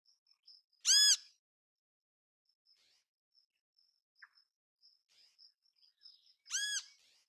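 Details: ['Great kiskadee in natural habitat calling twice with loud, rasping, arched notes rich in harmonics, some five seconds apart, over a faint high continuous whine and quiet distant chirps.']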